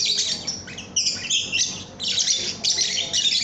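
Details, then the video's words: Training recording of a lovebird: rapid, shrill squeaky chatter in overlapping bursts, with a brief dip in the middle before the harsh twittering returns. "Masteran Kicau Burung Lovebird Paud AMPUH"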